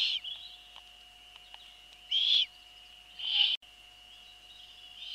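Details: Eurasian eagle-owl female at the nest at 21:12 on 28 April 2013, feeding young with a bird she brought: loud rasping hiss bursts roughly every second, interspersed with small taps, over an electrical whine.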